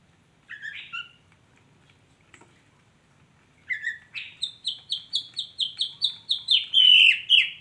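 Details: Female white-rumped shama: a couple of short whistled notes, a pause, then a rapid series of about a dozen high clipped whistles repeated evenly, ending in louder slurred notes.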